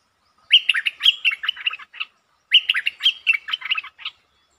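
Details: Streak-eared bulbul singing varied song styles, including long and doubled songs, recorded 13 February 2023 as a lure sound: two bubbly phrases of quick chirping, warbled notes about two seconds apart, each phrase opening with a brighter rising note.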